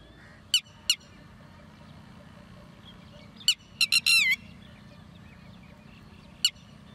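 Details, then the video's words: Red-wattled lapwing, tateri, uttering a pair of sharp high notes, then after a pause a quick run of shrill cries ending in a drawn, wavering note, and a last lone note. "bird sound Red wattled ( tateri )"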